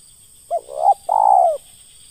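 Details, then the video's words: Ngeruk call of a spotted dove, heard where doves are lured for trapping: a clipped opening note, a rough rolling coo, and a sustained mellow coo that trails downward, all in near silence. "PIKAT AJARAN BARU POIN KE DUA, SUARA NGERUK DI BUNGKUS"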